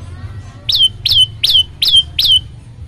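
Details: Olive-backed tailorbird song aimed at setting other birds singing: five strong, bright chirps, each falling sharply then holding briefly, spaced evenly about a third of a second apart after a short quiet start.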